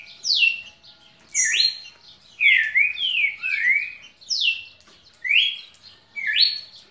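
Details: A pet red-cowled cardinal sings nonstop for over a minute: clear whistled phrases, each a quick slurred note falling or rising, repeated about once a second with brief pauses, over a faint hum.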